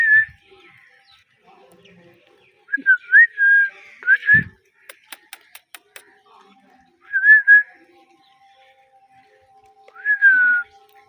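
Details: A pair of pet Indian ringneck parakeets gives scattered whistled chirps: a short note, a cluster of quick chirps, a sharp double note, then two later drawn-out calls. Between the calls come rapid tapping clicks and a low steady hum.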